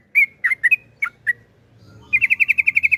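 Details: Yellow-vented bulbul ropel panjang song: a few loud separate chirps and slurred whistles, a short gap, then a fast, even trill of clipped notes at about eight per second. Soft low hum behind.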